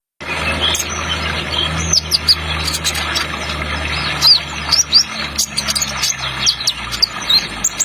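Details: Kolibri Ninja sunbird singing in the trotol style, with an added water sound effect: rapid, high, thin chirps and short twittering notes in quick bursts over a steady rushing-water hiss.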